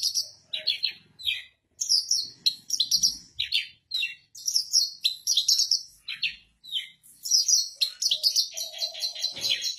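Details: Kept Javan bush lark performing its rolling song from a stone perch: dense, rapid runs of sharp, high twittering notes, broken by brief pauses, with a soft, low tone near the end.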